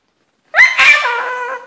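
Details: Pet cockatoo at home repeating a word it loves, recorded by housesitters: one loud rising squawky utterance with rich harmonics that settles into a long drawn, slightly falling tone.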